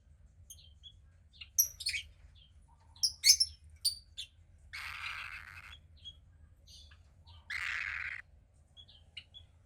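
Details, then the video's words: A female cockatiel chick about 15 days old, the second hatch of a pied cockatiel pair, gives short high chirps, then two long raspy hissing squawks of about a second each, with quiet gaps between. "Cockatiel Chick 2 (15 Days Old)"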